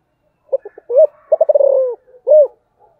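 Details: Spotted dove with a special thổ-style cooing voice: a few quick stuttering notes, then a rounded coo, a run of pulsed rolling coos, and a final emphatic coo, all low and mellow in a quiet setting.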